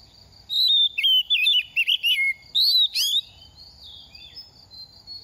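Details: A semi-mature oriental magpie-robin, past two moults and now dropping feathers, delivers a fast string of sweet warbled whistles with a sharp upward chirp near the end. A faint insect trill lingers afterward.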